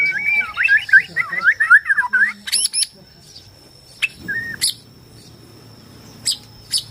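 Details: Bornean white-rumped shama song used to goad other shamas into singing and fighting, opening with a fast run of twisting whistled notes, then scattered high sharp chips and a short pure whistle over faint background noise.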